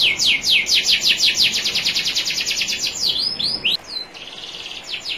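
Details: Song of a national champion canary meant for training canaries, over trickling water: long rapid rattle of descending notes about a dozen per second, then scattered higher twittering notes fading away.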